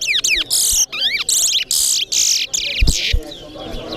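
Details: Towa towa singing in a competition at Corriverton, giving loud rapid bursts of sweeping whistled notes and buzzy high trills broken by short pauses, while a man counts aloud in the background.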